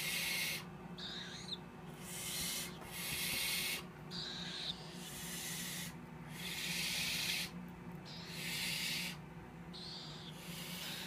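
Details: Three captive-bred tropical screech owl chicks, hatched in early March, give about seven harsh, breathy hisses, each roughly a second long, one every second or two, over a low steady indoor hum.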